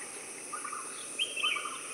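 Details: European bee-eater calling: faint, rolling trilled notes at mid and higher pitch, two short bursts in quick succession over a steady high insect-like hiss.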